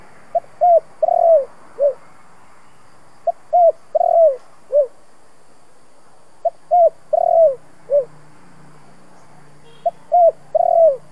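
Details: Spotted dove "kích bổi" cooing in the thổ voice, played to stimulate decoy doves. Four matching four-note phrases repeat roughly every three seconds, each built from a pip, an arched coo, a long rolling coo and a falling end note.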